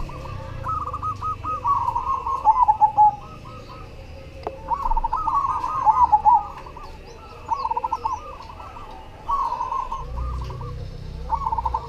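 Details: Cemani zebra dove singing keenly: three or four long runs of rolling, stuttered cooing notes separated by short pauses, with a low hum underneath.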